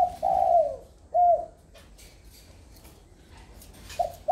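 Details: Big, handsome, red-eyed and very tame spotted dove cooing: a long low hollow coo followed by a shorter clipped one, then quiet before another coo begins at the end.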